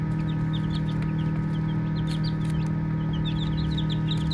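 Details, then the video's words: Baby chickens at play peep quickly and irregularly, with short, shrill, falling notes about three per second. A low constant drone sits beneath them. "Baby Chicks Chirping Sounds"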